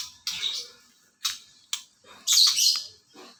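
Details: White-rumped shama (murai batu) set out for sunning on an overcast day; four short bursts of bright, scratchy chirps spread over a few seconds, the last a rich, loud jumble of notes, with faint low rustling beneath.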